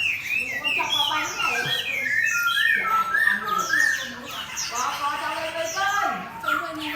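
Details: Oriental magpie-robin, a caged competition bird set beside a fighting bird, singing a rich varied song of whistled slurs and quick chattering phrases, with many notes overlapping densely throughout.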